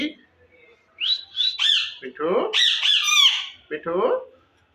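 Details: Green Indian ringneck parakeet, described as a talking parrot, in a breeding setup; harsh, raspy squawks with rising and falling notes in several bursts, a short pause, then two louder phrases and a final squawk.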